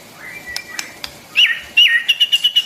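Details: White-rumped shama song, used to train young birds and stimulate wild-caught ones: faint start, then two clear whistled phrases followed by a rapid run of short, evenly spaced high notes.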